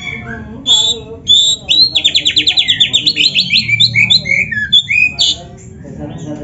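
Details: Oriental magpie-robin of the black-breasted form, a caged bird singing actively with canary-style phrases used to prompt other birds: sharp whistles, then a rapid run of about fifteen buzzy high trill notes and falling slurred whistles, with faint low background noise.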